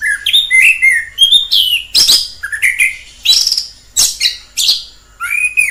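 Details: Wild orange-headed thrush delivering sliding whistled phrases, some rising, some falling, interspersed with harsh high scratchy notes, roughly one and a half phrases each second.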